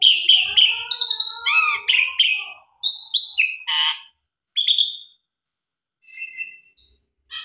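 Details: Asian pied starling lure song for silent caged birds, starting with dense whistles and buzzy phrases, then broken into separate harsh bursts and thin whistles with silent gaps toward the end.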